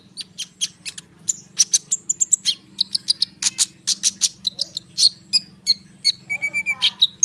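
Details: Konin bird singing nonstop in a dense rolling lure song for sunbirds, a fast mix of sharp chirps, rattling notes and short whistles packed closely together with barely any gaps.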